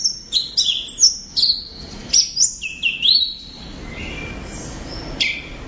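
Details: Orange-headed thrush, a strong-singing cage bird, giving loud high whistled phrases with rising and falling slurs, about a dozen short notes in the first three seconds, then quieter single notes over faint background hiss.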